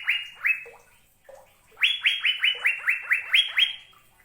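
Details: Song of an Asian fairy-bluebird: two bright upslurred whistles, a short pause with a lower note, then a rapid run of about nine ringing, liquid whistled notes at an even pitch, quickly repeated.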